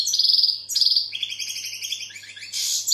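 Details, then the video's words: Sharp, high chirps from a European goldfinch, repeated in quick groups, sliding into lower twittered notes and ending in a harsh buzzy flourish, above a faint low hum. "Goldfinch bird singing the best sounds (chirping)Щегол поет / Τραγούδι καρδερίναςGoldfinch sjunger"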